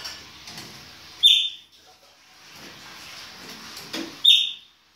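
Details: Winter singing of a Chopi blackbird in the baianinho style: two strong whistled notes about three seconds apart, each dropping in pitch, with quiet rustling background between them.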